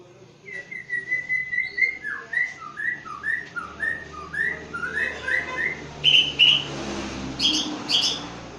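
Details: White-rumped shama from Aceh, a competition-class songbird: a long sequence of clear, slurred whistled notes, each phrase rising or falling, delivered at an even pace, then a few sharp, high, bright notes near the end against a low background hum.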